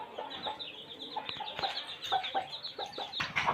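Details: Village baby chicks keep up a continuous chatter of high, thin peeps, dotted with brief lower chirps and a few sharp clicks.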